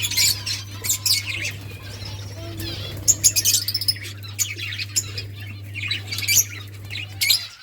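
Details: Budgerigars chattering with bright, scratchy chirps and warbled phrases, some squeaky rising notes, against a steady low hum that cuts off at the end.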